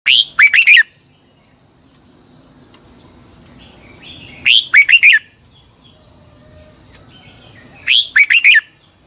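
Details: Red-whiskered bulbul song in the long double-twisted style, played to train other bulbuls to sing. Three short bursts of four or five quick, slurred, bright whistled notes come about every four seconds, over a steady thin high tone.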